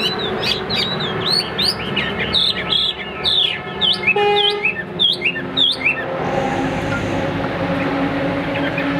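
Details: Caged Hwamei in a competition fighting display, delivering a rapid run of loud, slurred whistled notes, many rising or falling sharply. The song stops after about six seconds, leaving background noise.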